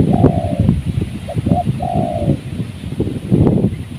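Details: During a windy-season trapping session, a spotted dove gives two smooth, falling coos separated by a short clipped note, with loud rumbling wind throughout and gusts at the end.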